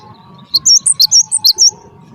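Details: A single short burst from a gelatik batu, or Cinereous Tit, of the wingko variety: seven or eight crisp, high alternating notes in quick succession, with a soft steady hum behind.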